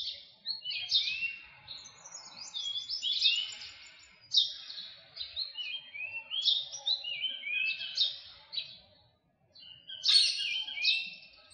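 A Philippine magpie-robin sings a rich, varied run of clear whistles, sweeping slurs and quick chattering notes, phrase after phrase with brief pauses, on a quiet background.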